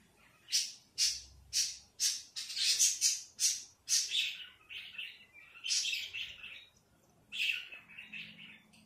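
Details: Robin in a backyard on a June 2024 evening, giving a rapid series of sharp, high chirps about twice a second, then looser warbled notes with pauses; quiet background.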